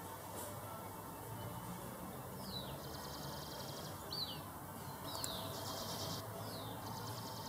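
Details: Two Mountain elaenia fledglings from a successful nest in a garden beg for food while huddling together for warmth: thin, high, downslurred chirps every second or so, faint against steady hiss and low hum.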